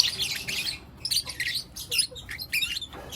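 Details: Lutino lovebirds, four young birds, chirping in the morning: bursts of harsh, high squeaky chirps, dense for the first second, then shorter scattered squawks and twitters with brief pauses between.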